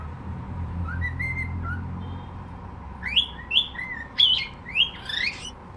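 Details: Soft, rising whistles give way to a loud series of swooping, warbled cockatiel notes, each dipping and climbing, over a low steady rumble.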